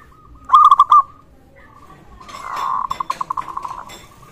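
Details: Local zebra dove calling, used to prompt other zebra doves and raise their arousal: a short rapid stuttered trill of mellow notes, then after a pause a longer accelerating series of soft pulsed coos.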